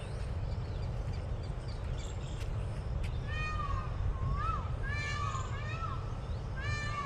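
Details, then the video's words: Peacock perched on a neem tree, calling. Loud, nasal, cat-like arched notes repeat several times in the second half over a constant heavy low rumble. Faint high chirps from small birds are also heard. "Peacock is seated on Neem tree and singing."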